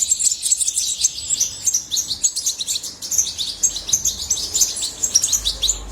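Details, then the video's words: European goldfinch twitter: busy, unbroken high chirping with liquid trills and clipped notes, and a faint low rumble near the end. "طائر الحسون من أجمل الطيور وأنداها صوتاً"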